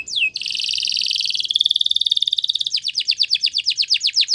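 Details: Belgian canary in song, opening with one sliding whistle, then a rapid rattling trill that drops slightly in pitch before breaking into a quick run of falling, sweeping whistled notes.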